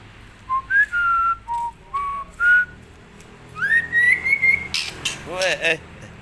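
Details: A young male white-rumped shama learning to whistle: short pure whistled notes stepping up and down, then a long rising whistled sweep, followed by brighter broken phrases, with soft background noise.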